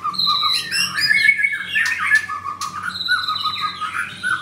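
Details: Close-range singing of a caged white-rumped shama wearing a blue ring, at a bird stall in Kemayoran, Jakarta, Indonesia. It pours out continuous varied whistles, sharp high notes and fluttering trills with barely a pause. Soft indoor hum sits underneath.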